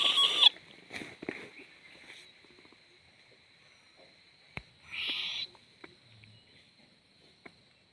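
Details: Owl chick swaying: a short, loud hiss right at the start, then a quiet stretch with clicks, and a second breathy hiss lasting about half a second.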